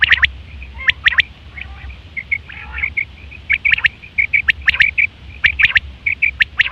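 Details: Quail recorded in September 2023, used for hunting and mating: sharp high chirps in quick groups of two or three, mixed with shorter clipped notes, repeating about once a second over a low steady hum.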